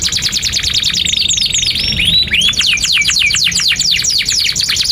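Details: Long 'gacor panjang' canary song, meant for training young canaries learning to sing: a dense, rapid trill of repeated notes broken by a few rising whistled slurs, then a fast sweeping rattle.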